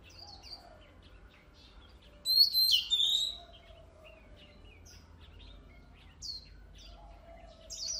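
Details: Oriental magpie-robin song for stimulating competition birds: a short loud burst of sharp high whistles and trills, followed by scattered faint high chips and a soft low drawn-out whistle in the background.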